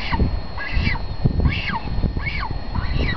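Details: While a mother cormorant feeds her chick, shrill, arching squeals come in a steady series about every half second, backed by heavy low rumbling and buffeting noise.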